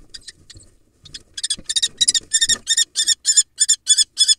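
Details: Wild female common kestrel fiercely defending her nest box and egg against a larger male barn owl competing for the site; a few scattered notes build into a rapid, harsh, high kee-kee series, about three calls per second.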